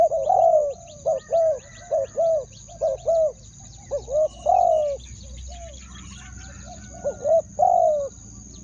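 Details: Spotted dove decoy calling to bring in wild doves: low mellow coo pairs and longer falling coos, with scattered chirps of other birds, some background rustle and a constant high whine.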